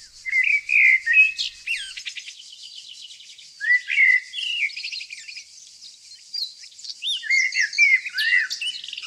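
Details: Nightingale singing in Tonekabon's green nature in northern Iran: repeated phrases of rich, slurred whistles, each followed by quick, scratchy rattles, recurring every few seconds over a steady high insect-like hiss.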